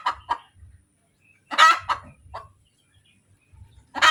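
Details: ['Hen cackle after egg-laying, brisk clucks leading into a loud grating squawk, then a few more clucks and a fresh squawk at the end.']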